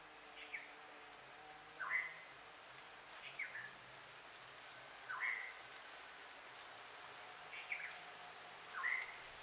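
Tickell's blue flycatcher giving short, sharp chip notes, single or paired, every one to two seconds, over a faint steady background hum.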